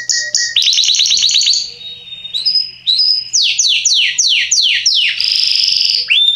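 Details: Caged Belgian canary singing loudly as a tutor for young birds; clipped high notes, a fast upswept trill, short whistles, then bold repeated downslurs and a rolling trill.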